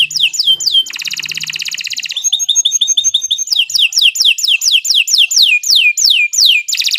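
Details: Canary master song: quick falling notes, a rattling trill, a string of short chips, then an extended series of sweeping downslurred notes about twice a second.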